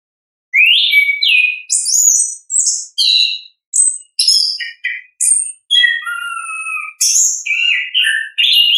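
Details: Orange-headed thrush natural ngeplong song: a long chain of varied notes, rising whistles, buzzy high phrases, sharp clicks and a low whistled dip, delivered in rapid succession with short gaps.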